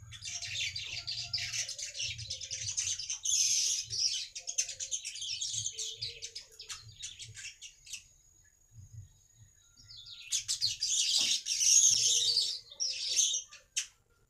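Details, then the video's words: Baya weaver song used as a lure to attract other weavers: dense, buzzy high chattering and rapid chirps in bursts, a pause near the middle, then another loud wheezy burst and a sustained thin whistle. "BURUNG MANYAR UNTUK PANCINGAN BURUNG MANYAR"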